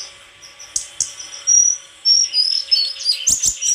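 A white-throated flycatcher sings thin, high whistled notes running into a quick twittering warble, with a few sharp clicks near the end.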